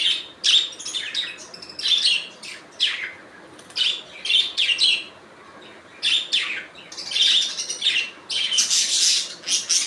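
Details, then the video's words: Budgerigars calling with natural sounds: dense bursts of harsh, buzzy chirps and chatter concentrated high in pitch, coming in clusters separated by brief pauses, several birds overlapping. "Budgies Natural Sound"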